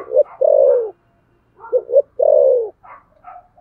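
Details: Spotted dove fighting coo in the thổ sấm manner, two full phrases of paired short notes and a long falling coo. Soft higher cooing from another dove follows.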